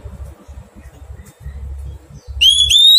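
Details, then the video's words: Wild-caught Oriental magpie-robin being tamed in captivity: one short, loud, clear whistled phrase slides upward near the end, rich with overtones, after a stretch of low background rumble. "Thuần hóa chòe than bổi"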